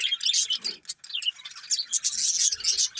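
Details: Pet budgies keep up a busy, high-pitched twittering chatter, quick scratchy chirps and squeaks tumbling over one another without pause.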